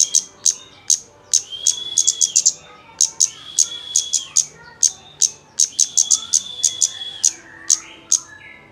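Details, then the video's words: Kemade lure to prompt a bird to sing: rapid bursts of piercing high ticks, some doubled into fast clusters, joined by long level whistled tones held for about a second and repeated three times. "Pancingan kemade bahan agar cepat bunyi"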